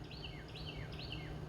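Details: Carolina wren singing outdoors near a mountain cabin, three loud ringing phrases, each a rolling whistled slur falling in pitch, about every half second, over steady low rumble of wind or machinery.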